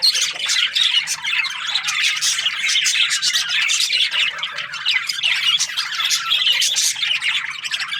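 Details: Twittering budgerigars, breeding pairs, heard as a thick mix of sharp chirps, squeaks and rasping squawks, constantly overlapping with small swells in loudness.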